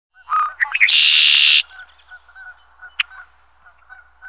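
A red-winged blackbird gives one song: a clear opening note, short gurgles, then a long harsh buzzy trill. Faint calls from other birds continue behind.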